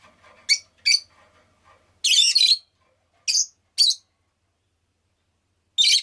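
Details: A pet rosy-faced lovebird gives six shrill, harsh chirps in about six seconds, including one longer raspy double shriek, with faint soft chatter early on and town background noise.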